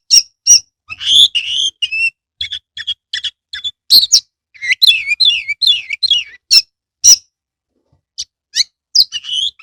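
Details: A pet Oriental magpie-robin (kacer) sings with tail spread, a loud, varied run of sharp whistles, rising and falling slurs and clipped chirps with brief pauses; used as a lure to prompt lazy birds to sing.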